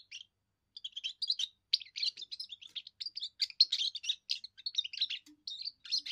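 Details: Young European goldfinch in its first song, defending territory and attracting females; a sustained, rapid stream of liquid chirps, trills and twittering notes lasting about six seconds, with a faint low hum late on.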